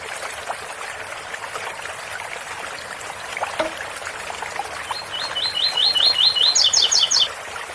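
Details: Several seconds of steady fountain trickle, then a double-collared seedeater sings its ouro fino song, given as 8x4 or 7x4: a fast series of rising whistles capped by four higher, descending double notes.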